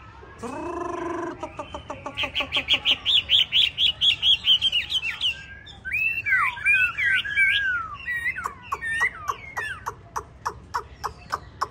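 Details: Hwamei of the 'tam hoàng' type, yellow-legged, yellow-billed and yellow-feathered, opens with a harsh nasal note, then repeats a clear whistle around fifteen times before twisting into rapid looping warbles and clicks.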